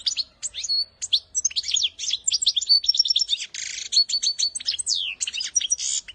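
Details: Goldfinch delivering a training song for young birds: fast, jumbled twittering with sweeping whistles, buzzy trills and liquid chirps running continuously through the recording.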